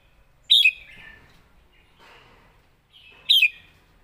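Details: Red-whiskered bulbul, "master song" style, heard as two brief, bright downslurred whistled bursts about three seconds apart, with quiet echoing tails between.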